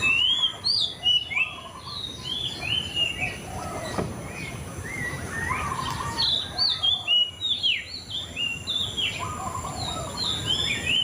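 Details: Long, lively White-rumped shama song: rapid sequences of sharp whistled upslurs and downslurs, repeated in bursts with lower warbled notes between, over constant background hiss.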